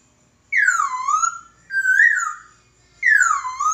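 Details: Laughingthrush singing master song for bird training: three loud whistled phrases about a second apart, the first and last sweeping down, the middle one level and slightly rising.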